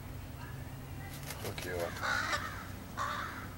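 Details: Crow calling while being fed and talked to by a person, 15 July 2018; a few short, harsh caws in two bursts near the end, mixed with human speech and low background rumble.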